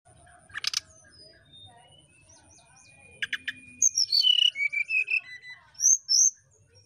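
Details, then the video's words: Brown-chested jungle flycatcher singing in flute-like nyuling style to provoke a rival: two dry clicking bursts, then a rapid series of clear whistled notes stepping down in pitch, ending in a few high sharp whistles. "Burung Sikatan Rimba (SRDC) Nyuling Memancing Lawan"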